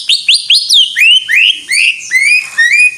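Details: Greater green leafbird singing vigorously: sharp rising chirps in quick succession lead into a chain of loud, bright, upslurred whistles. The whistles are repeated roughly every third of a second, then gradually slow.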